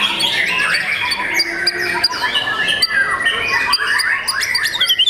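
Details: Young white-rumped shama kept as a contest bird, delivering a busy medley of whistled notes, short trills and clicky chatter, with sharp bursts interrupting the steady flow.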